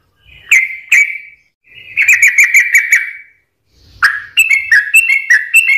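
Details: Sooty-headed bulbul song used as a lure to set other birds singing: bright whistled phrases near two kilohertz, a pair of clear notes, then a rapid run of bubbling, slightly descending notes, pauses between bursts.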